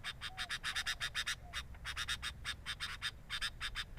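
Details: Sooty-headed bulbul recorded by a camera placed at its nest: rapid bursts of harsh, scratchy pulses, several per second, in irregular runs with short gaps, and a few faint thin whistled notes between them.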